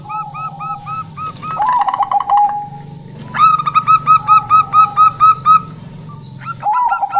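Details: Zebra dove female, local, singing as a lure for males: soft clipped notes, a fast rattling trill, then a loud, even series of about ten fluty notes and another trill.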